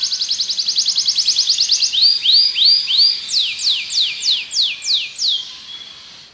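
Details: Belgian canary singing: a fast trill of repeated high notes for two seconds, then slower arched whistles, then a series of descending sweeping notes about three per second, all high-pitched and clear.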